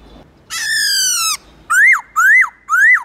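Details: Black-throated laughingthrush, captive, singing a many-voiced wild-style song: one long, rich, slowly falling note, then three quick rising-and-dropping slurred whistles in close succession.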